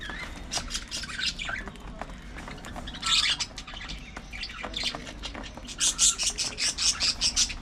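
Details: Early morning feeding time for budgerigars: sparse scattered chirps, then a rapid, regular string of high buzzy chatter notes in the last two seconds.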